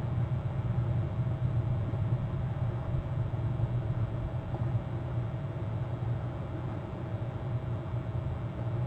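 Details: A constant low rumble like distant traffic or wind fills the recording, and no animal calls stand out.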